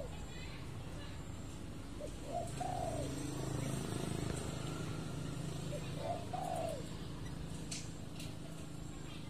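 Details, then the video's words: Tame pair of spotted doves, about six to seven months old, kept for around ten months and alternately caged and set free outdoors; two soft cooing phrases, each a brief note then a longer rolling coo, faint under steady low hum and distant talking. "Sepasang Burung Derkuku Jinak Gacor"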